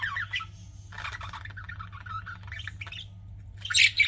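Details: Budgerigars kept as pets chattering: warbling, wavering chirps and buzzy squeaks in continuous strings, ending with a louder shrill burst, with a constant low hum beneath.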